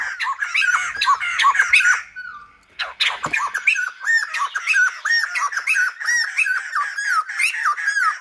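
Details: Silver-headed babbler song: dense chattering bursts, a brief pause, then a long series of quick, looping whistled notes repeated rapidly with sharp ticking sounds between them.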